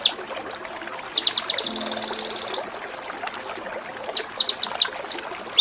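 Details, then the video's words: Kinoi 'tembak' burst from a masteran for songbird training: a harsh, rapid buzzing trill lasting about a second and a half, followed by scattered high sharp chips over a background hiss. "Masteran Mewah KINOI || Ngepik Kapas Tembak || Nembak Cililin"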